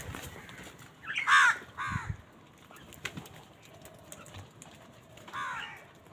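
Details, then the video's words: Crows in a flock on a winter morning, squabbling over food, give a loud, harsh double caw, then a softer caw a few seconds later. Low rustling and thumps run underneath. "Many Crows crowing sounds and noises on a winter morning"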